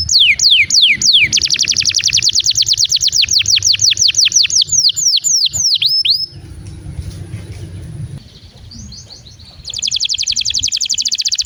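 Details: Canary singing continuously as a prompt for other canaries and as therapy for birds that have stopped singing; rapid falling notes and a long rolling trill, then a stretch of background rumble before a bright fast trill returns.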